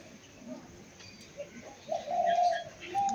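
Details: Two white pigeons; a short, steady tonal coo rises out of a quiet room background and holds for under a second, followed by a briefer, higher note near the end. Faint chirps from other birds are heard.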